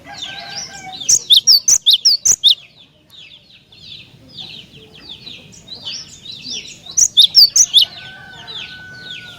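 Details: Lively cinereous tit singing to entice other tits to respond: two bursts of loud, rapid, sharp high notes about five seconds apart, with gentler chattering twitters between them.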